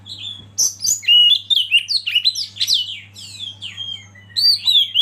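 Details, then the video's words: Oriental magpie-robin delivering a continuous stream of bright rising and falling whistles mixed with scratchy notes, for a masteran recording; faint steady hum in the background. "Masteran Kacer Eksklusif"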